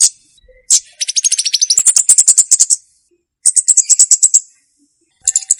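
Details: Olive-backed tailorbird song used for luring and tutoring untrained birds: long, rapid trains of high, sharp chips, partly in two overlapping layers, repeated in bursts with short pauses between.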